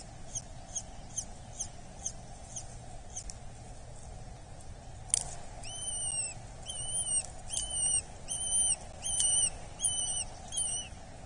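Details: Being fed at a Dorset nest on 8 July 2024, a Eurasian hobby chick gives faint ticking notes at first, then a loud run of high, whining, bending calls in close succession over a constant background hum.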